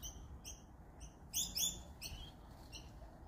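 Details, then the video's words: Australian magpies in Australia give short, high chirps about twice a second, briefly louder and busier midway, over a low background rumble. "MAGPIE BIRDS"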